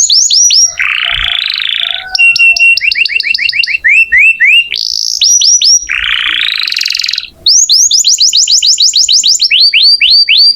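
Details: Canary singing continuously, offered as master song for magpie-robins: a long varied sequence of sharp whistled downslurs, rich buzzy rolls and fast repeated tours of high notes, with hardly any pause.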